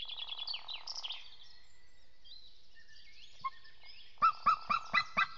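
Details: White-tailed eagle at its nest on April 28 while the first eaglet hatches: a loud run of about six sharp, evenly spaced yelping notes near the end, preceded by other birds' high chirps and warbling and a steady low hum.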